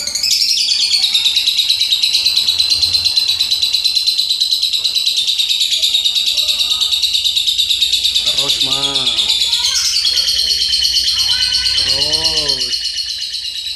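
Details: Rapid, shrill, unbroken chattering from a Juleha lovebird singing 'rem blong', a buzzy pulsing stream near three beats a second, interrupted late by two short spoken words from a person.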